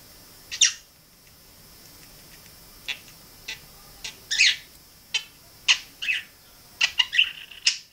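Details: A pet male budgerigar gives a string of short, scratchy chirps and squeaky whistles. These are odd whistled sounds he learned, produced mostly with his neck and barely moving his beak.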